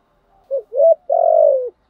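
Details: Spotted dove cooing, used to excite wild doves and train a decoy bird: a short low note, a rising second note, then a long, steady, slightly falling coo, all soft and mellow in a quiet setting.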